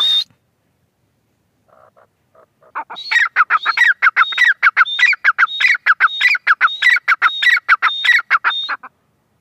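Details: Female francolin, after a few faint notes, breaks into a fast run of loud rasping calls with thin whistled tones on top, repeated steadily for about six seconds.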